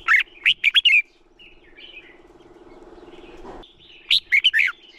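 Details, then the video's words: Red-whiskered bulbul singing to stimulate other bulbuls to sing: a quick burst of bright, warbling whistled notes, then a pause and another matching burst, with a steady low mechanical hum underneath. "Chào Mào Hót - Chào Mào Kích Trống Lên Lửa, Kích Chim Sổ Giọng Hót Sáng"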